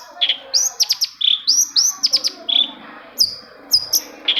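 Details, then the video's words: Long-tailed shrike song used as a lure to get other shrikes singing: loud high whistled phrases with sharp clicks, sweeping up then levelling, repeated in fast pairs before sparser notes. "CENDET MACET SUSAH BUNYI PASTI NYAUT KETIKA MENDENGAR TOETAN BURUNG CENDET INI"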